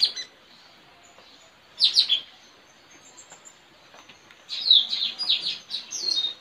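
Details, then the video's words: Decoy Straw-headed bulbul in a village singing duel, 4 April 2021, trained to attract wild birds; softer, more distant sweeping whistles, one burst early, then a quick series of falling notes over faint background hiss. "Adu gacor puling parit pikat"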